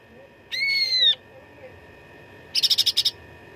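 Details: Cucak ranting fighting song, recorded as a training master for contest birds: a clear whistled note sliding slightly downward, then after a pause a quick burst of sharp, rattling trill notes. A steady faint tonal hum runs underneath.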